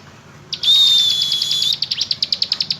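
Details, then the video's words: Bar-winged prinia in energetic song: a loud high buzzy whistle held for about a second, then a run of quick, sharp descending notes repeated several times per second. "Burung Ciblek Gunung Gacor nembak Ngebren.."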